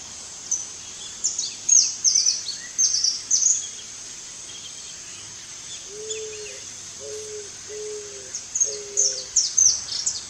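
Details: Eared dove uttering four low, flat, evenly spaced coos in the middle of the recording, surrounded by frequent high, thin chirps and squeaks from other birds.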